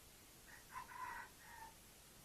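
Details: Red junglefowl decoy bird used to lure wild junglefowl, giving a single short crow with a rising first note and a drawn-out middle section, recorded faintly at a distance.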